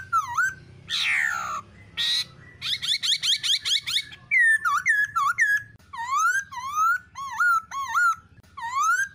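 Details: A female black-throated laughingthrush gives "ro ro" calls together with a male's shrill calls, played to stimulate captive laughingthrushes. A harsh, buzzy rattle and quick chattering run are followed by loud, clear dipping-and-rising whistles about every half second.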